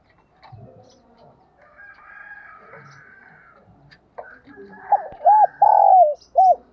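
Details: Decoy spotted dove calling and cooing. Soft scattered sounds come first, then one loud phrase of four low, hollow coos near the end: two short arched notes, one longer falling note and one short arched note.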